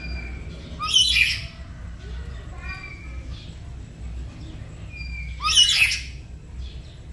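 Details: Black-capped lory kept as a pet at home, learning gacor song on a morning duet: two rough, grating screeches about four and a half seconds apart, separated by quiet stretches with soft thin whistles and low background hum.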